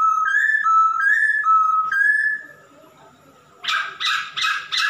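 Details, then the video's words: Male masked laughingthrush singing steadily: alternating pure whistled notes that step up and down in a regular pattern, then after a pause four rapid harsh chattering bursts. "Kicau burung Poksay Hongkong jantan gacor"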